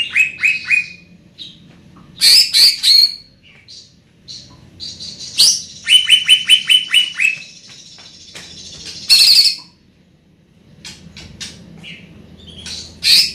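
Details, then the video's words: Greater green leafbird, a large-bodied bird with a loud, far-carrying voice, singing bursts of bright high chirps and whistled notes, with rapid repeated trills and sharp buzzy phrases separated by short pauses. "Burung Cucak Ijo Body Besar Suara Tembus"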